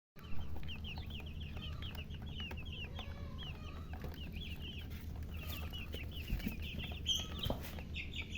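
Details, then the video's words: Chicken chicks chirping: rapid high, short downward peeps repeated in quick succession throughout, over a steady low hum and a few louder knocks near the end. "silly chicken chirping sounds"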